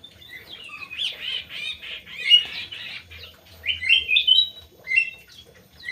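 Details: Crewet bird kept in an aviary, giving a busy run of buzzy, chattering notes that tumble up and down, with brief pauses and then a livelier burst of sharper, rising chirps near the end.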